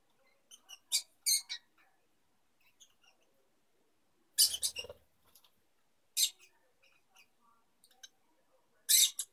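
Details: Mating pair of young lovebirds: sparse, sharp high chirps and squeaks in isolated bursts, with longer quiet gaps and soft twittering between.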